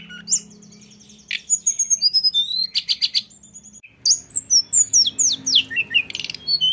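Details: Lesser shortwing giving its rolling ngeroll song: quiet start, then rapid bursts of high chirps, trills and darting upward notes, with a faint steady low hum.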